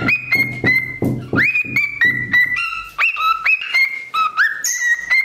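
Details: Indoor pet parrot responding to knocking on its room door with imitated chicken sounds. A rapid series of upswept whistled notes held steady, shifting between higher and lower pitches, with low broadband thuds underneath during the first half.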